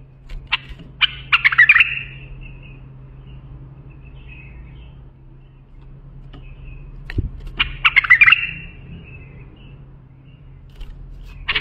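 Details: Bulbul song phrases, used for training young bulbuls: two bursts of quick, sharp chirping notes that slur into a sustained tone, about six seconds apart, with scattered single notes between and a steady low hum behind.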